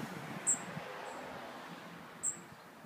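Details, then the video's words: Cuban bullfinch, locally called negrito, singing: two short, very high, thin whistled notes about 1.8 seconds apart over a steady soft background hiss. "Negrito de Cuba cantando"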